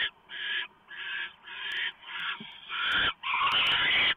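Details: Barn owl family at the nest, early morning 3 November 2015, female shredding a big mouse for the owlets; overlapping hoarse screeches, the later ones longer and louder, with scattered ticks.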